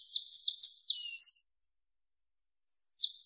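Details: Kolibri ninja, the purple-throated sunbird (Leptocoma sperata), on a clear masteran recording: a few sharp high notes and a thin whistle, then a long continuous buzzy trill ending with one more note.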